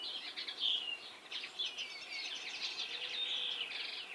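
A common linnet sings a fast, continuous twittering of chirps, trills and short buzzy notes, high-pitched and rambling without pause.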